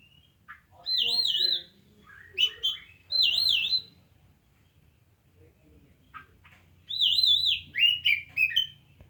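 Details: Oriental magpie-robin delivering loud, high wavering warbled notes in bursts of about a second, mixed with sharp clipped chips and lower notes, a quiet stretch midway, and a steady low electrical hum behind.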